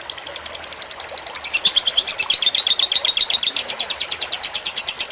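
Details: Lovebird fighter tutor song with gentle water sounds: a quieter start building into a louder, rapid string of bright, squeaky high notes, about three per second, with slightly uneven rhythm over soft water noise.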